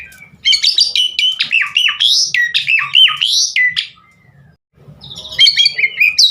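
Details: Javan pied starling singing actively with full varied phrases, a training recording meant to coax other starlings into song: loud whistled, buzzy notes sliding up and down, a brief pause, then rapid harsh chatter, over a faint low hum.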